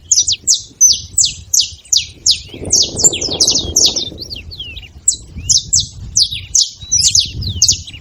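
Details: Free saffron finches calling at a feeding station: regular bright descending chirps from several birds, a brief wash of broadband noise around three seconds, then continued high chatter over faint low rumble.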